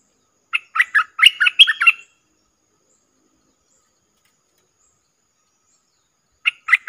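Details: Song of a caged Streak-eared bulbul used as a decoy to attract wild birds. A fast run of sharp, bubbly chirps lasts about one and a half seconds. A long silence follows, then a new chattering phrase begins.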